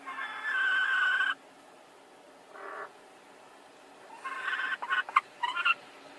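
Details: Two hens contesting the same nest spot to lay at the same moment; a loud drawn complaint, a short softer note, then a burst of rapid broken squawks and clucks.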